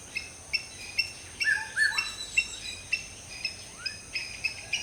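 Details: Black-hooded oriole (Oriolus xanthornus) preening and calling on an early tropical jungle morning: short, sharp high chirps about every half second, with lower liquid slurred whistles, over steady insect hiss and other wild birds.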